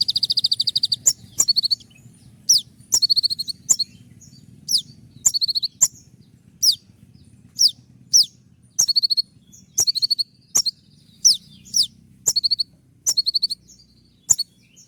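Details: Moulting konin with 'tembakan' shot-style song: fast bursts of sharp, high-pitched chirps and short trills repeated every second or so, loud and piercing against a quiet low hum.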